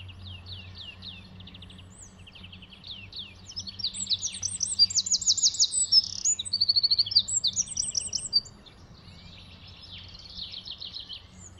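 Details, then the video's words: Eurasian wren singing by a garden path: a loud, rapid song of high trills and sharp notes building to a fast rattling climax and ending abruptly, over a low hum. "Zaunkönig singt"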